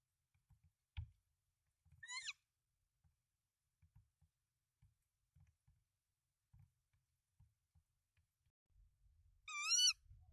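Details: Tawny owl at a nest in Denmark, 24 March 2024, with three eggs as the male brings rodents to the female; two brief rising, harmonic calls about seven seconds apart, the first faint, with soft low knocks and shuffling sounds from the nest between them.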